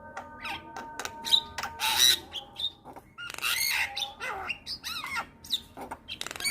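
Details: Black-winged starling in full song, as stated, with harsh squawks, rapid chatter and looping whistled notes, rising and falling, mixed with broadband rasps; a faint low hum runs underneath.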